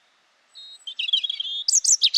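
A European robin sings a thin high whistle, then a quick warbling run ending in bright tinkling notes.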